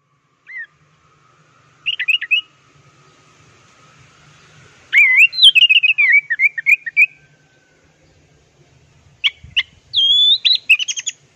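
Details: Orange-headed thrush singing a plong and teler masteran style song: scattered bursts of clear, varied whistled and warbled notes, some rising and some falling, with short trills, separated by brief pauses over about eleven seconds.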